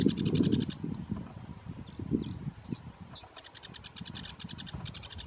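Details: A sedge warbler sings in Biebrza National Park, Poland, on 15 May 2015: bursts of fast, dry, chattering high trills broken by squeaky, whistled notes, over steady low wind rumble.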